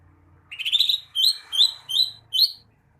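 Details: Greater green leafbird singing a phrase of clear, high whistled notes: an opening warble followed by four short rising slurred whistles repeated about every half second.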